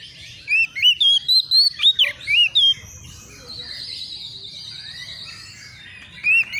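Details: Agitated young Oriental magpie-robin answering a rival with a quick run of bright whistled slurs and sweeps, then a pause filled by a softer steady high hiss and faint chirps before a last whistled note.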